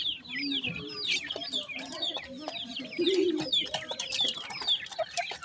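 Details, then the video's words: Teetar chicks of the grey francolin chirping in a crowded chorus of high, falling peeps, with a brief lower warbling note and occasional sharp taps. "grey francolin chicks,teetar chicks sound"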